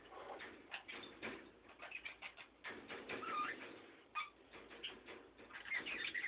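Budgerigars chatter nonstop in a busy mix of warbles, squeaks and short whistled notes.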